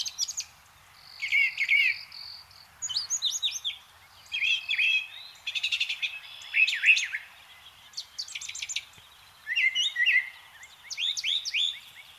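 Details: A Brown Thrasher sings in spring, a varied run of short rich phrases, buzzy notes, chirps and whistles, each burst about a second long with brief pauses, incorporating mimicked sounds of other birds.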